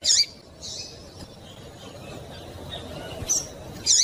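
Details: Female double-collared seedeater calling to excite a male into song: brief high chips, two close together at the start and two more near the end, separated by a quiet gap with low background hum.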